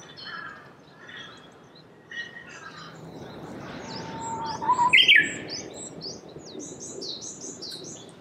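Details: Japanese bush warbler in spring song among cherry trees, Saitama Prefecture, Japan, March 2019: a soft, level whistle swells into a sharp, rising-falling flourish, while other small birds chirp thinly and high throughout.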